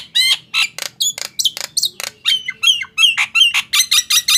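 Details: Loud song of a Nias hill myna, used to make silent mynas answer and sing: rapid, varied, metallic squawks, clear upslurred and downslurred whistles, and buzzy notes in a quick, uneven series.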